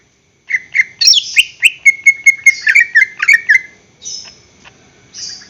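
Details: Caged greater green leafbird singing as a lure to get other caged birds singing: a run of sharp, rapid chirps and slurred whistles around the same pitch, then a few softer buzzy notes near the end.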